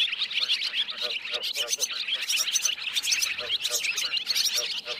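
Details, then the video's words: Swiftlets giving roosting calls used to lure birds into nets; dense overlapping chirps and buzzy twitters, a constant chattering chorus with rhythmic clicking pulses underneath. "tiếng én ngủ"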